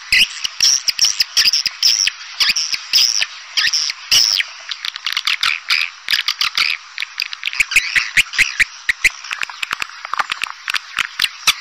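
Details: Edible-nest swiftlet lure call in the pancawarna style, crafted to draw swiftlets in: dense, rapid twittering chirps and buzzy rattles, steadily layered with brief clicking bursts throughout.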